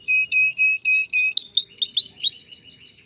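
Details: Male canary song meant to prepare a female for mating and nest building: repeated paired notes, then a long whistle and rising swept whistles, fading at the end.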